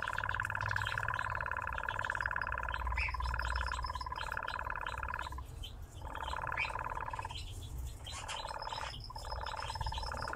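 A nightjar gives a long, even, mechanical churr, a rapid purring trill broken by brief pauses, over a low background rumble.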